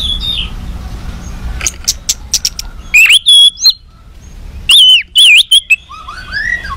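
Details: White-rumped shama in an agitated state, singing to provoke other shamas: sharp clicks and short ticking notes, then loud looping whistled phrases that wobble up and down, followed by softer descending whistles.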